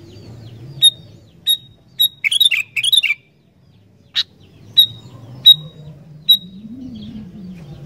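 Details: Sooty-headed bulbul in full song, meant to make wild bulbuls start singing: single clear whistled notes spaced about half a second apart, interrupted by a quick bubbly run of liquid notes, with low hum behind.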